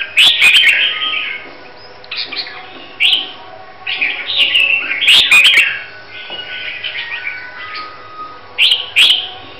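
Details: A red-whiskered bulbul from Huế, Vietnam, readied for a singing competition, pours out irregular bubbly warbled phrases with quieter gaps, punctuated by faint clicking noises.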